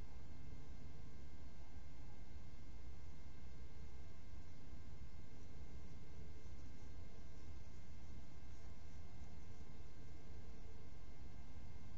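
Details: Steady broadband hiss with faint constant electrical hum tones throughout; no animal calls or voices.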